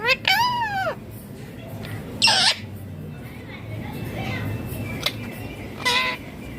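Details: Loud natural calling of an Indian ringneck parakeet: an arching, rising-then-falling screech, then harsh broad squawks near two and six seconds, with quieter faint chatter between them.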